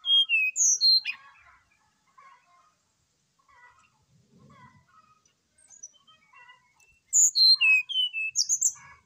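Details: Brown-chested jungle flycatcher, recorded singing eagerly in the morning as a lure for another bird: loud descending whistled series open and close the passage, with faint twittering notes between.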